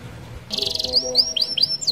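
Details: Canary in rolling song for luring other canaries: a buzzy high trill followed by a run of bright sweeping whistles.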